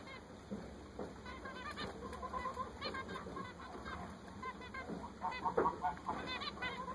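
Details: Freshly purchased zebra finches chatter in frequent short nasal beeps, often in quick pairs and runs, growing busier toward the end, over a steady thin whine.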